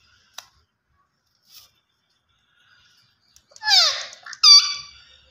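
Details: A green ringneck parrot gives soft scattered clicks, then two loud harsh calls, the first sweeping downward, the second a brief buzzy note with stacked overtones, in a quiet setting.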